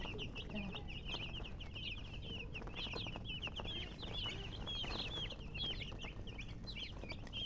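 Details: Several baby chickens peeping busily: shrill, rising-and-falling chirps packed closely together with no pause, over a steady low background rumble.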